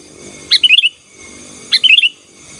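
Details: Sooty-headed bulbul song, said to help dominate rival birds: two short phrases of bubbly, chuckling whistled notes descending slightly, over a steady background hiss and faint hum.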